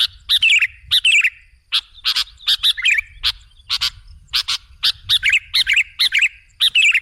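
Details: Kutilang (sooty-headed bulbul) song meant to lure other birds: quick bubbling phrases and loud clipped notes in a steady, busy stream with short gaps.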